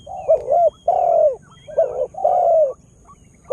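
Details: Spotted dove used as a lure bird to draw in wild birds, just starting to call actively: low throaty coos in short two-part phrases and longer drawn-out falling notes, four phrases in under four seconds, with a faint steady high whine.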